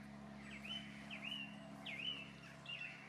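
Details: Common shelduck ducklings at Llanelli Wetlands give thin, high peeping whistles, each sharply rising then sliding down, repeated about once a second over a low steady hum.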